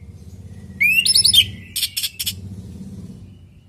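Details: Orange-headed thrush, natural song used for training other birds to answer: a brief rising whistle and quick chirps, then three short buzzy bursts over a low background rumble.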